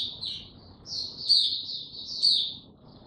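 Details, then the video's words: Kept white-eye (mata puteh) given no health supplements, recorded 29 April 2022, opening its song: soft, high, thin twittering warbles in short bursts, two louder phrases near the middle and end, with faint low background rumble. "Mata Puteh Hercules buka sing"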